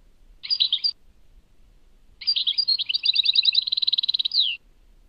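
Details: European goldfinch, Tadmait, gives a brief twittered phrase, then after a pause a longer song. Scratchy chirps build into quick, even trilling and close on a falling slurred note.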